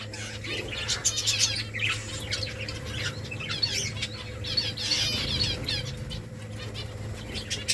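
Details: Finches at a pile of rice chatter in continuous, overlapping high chirps and twitters, with rustling, pecking and a persistent low hum beneath.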